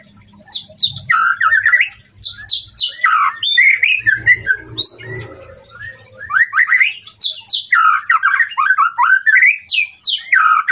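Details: White-rumped shama song meant to provoke a rival's emotion, a loud, varied run of rising whistles, rapid trills and sharp high notes in bursts with brief pauses, with mimicked phrases mixed in.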